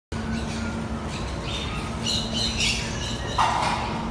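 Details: A white cockatiel gives short, harsh squawking calls over a steady background hum.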